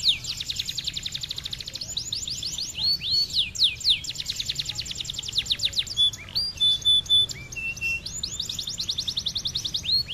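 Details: Canary singing gacor-style as a training master for other songbirds: long rapid trills of repeated high sweeping notes, about four per second, broken by short whistled tones and brief pauses, with low background hum.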